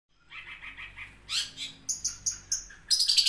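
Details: Cucak cungkok bulbul giving a loud, shot-like song: a run of short chattering notes, then sharp bright bursts repeated about every fifth of a second, ending in a dense high trill.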